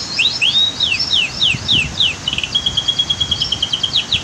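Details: Canary in a natural setting below a waterfall and dam, singing sweeping slurred whistles in quick succession that blend into a level rapid trill; constant rushing water.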